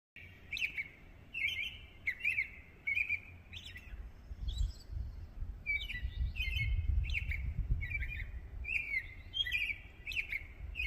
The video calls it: A Robin singing a pretty song